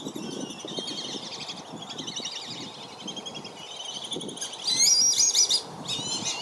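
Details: Black-bellied whistling duck parents protecting five juveniles from surrounding ducks in Lakeland, Florida; a chorus of thin whistles, then a sharper, louder burst of high chattering near the end, over light water noise.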